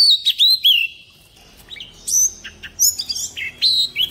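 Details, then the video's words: Oriental magpie-robin in forest-voice song for training young birds: a varied, continuous string of sharp whistles, slurs and short chirps, shifting pitch from phrase to phrase without pause. "tiếng chòe rừng ép giọng chim non cực hay | Chòe than mồi hót giọng rừng cực hay"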